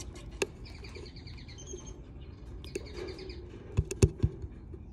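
A young budgerigar gives soft, rapid chirping runs, with thumps of handling noise near the end.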